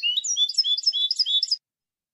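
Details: Twittering copia malaga song from a European goldfinch, edited for tutoring chicks. A fast, tumbling run of high, liquid, slurred notes at varied pitches lasts about one and a half seconds, with no other sounds.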